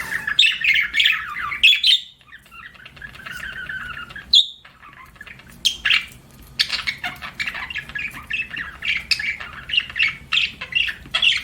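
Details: Budgerigar chatter of buzzy warbles and sharp chirps, a couple of short silences early on, then steady busy twittering to the end.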